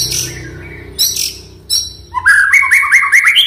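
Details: Oriental magpie-robin (murai batu) song played to coax a quiet bird into singing: scratchy high bursts, then a rapid run of rising whistled notes repeated several times, with a low hum beneath.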